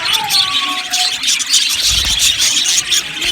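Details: Budgerigars chirping as a flock in an aviary, a steady wash of thin high tweets and warbles, with a faint lower tonal sound early on.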